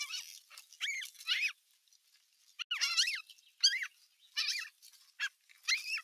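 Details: Bigger osprey chicks tussling at nest #1, 15 June 2023, watched by an adult at the nest edge; clear, ringing squeals with bent, wavering pitch, given in spaced groups of two or three.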